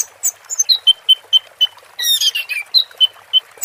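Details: Orange-headed thrush singing in 'teler' style alongside water therapy, a run of short clipped notes repeated about every quarter second, broken by a harsh scratchy burst in the middle.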